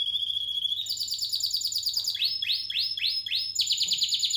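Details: Canary of the Spanish Timbrado breed, recorded in 2017: bright rattling trill, then four loud swooping notes falling from high to low, followed by another fast trill.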